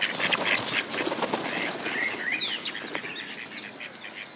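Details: Two male Mallards fighting over a female clash in a rapid burst of rasping, nasal calls and loud water splashing, and the scuffle eases off after about three seconds.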